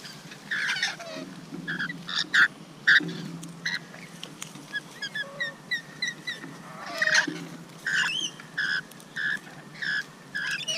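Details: Rainbow lorikeet feeding, giving harsh, grating squawks in uneven bursts, then a quick string of short, thin chirping notes midway and more raspy calls toward the end.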